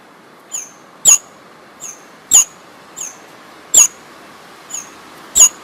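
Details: Sparrow heard in the jungle: bright, high, downward-flicking chirps alternating loud and soft, about eight notes in under six seconds, with continuous low hiss behind.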